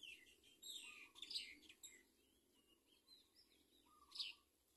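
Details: House sparrow chicks at a nest begging for food: high, thin chirps clustered in bursts near the start and again near the end, with softer scattered chirps between and a faint steady low hum beneath.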